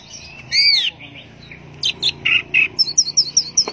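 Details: Orange-headed thrush singing teler style: a loud arching whistle, then a pause, then a string of short buzzy notes and finally a rapid series of high, evenly spaced twittering chirps.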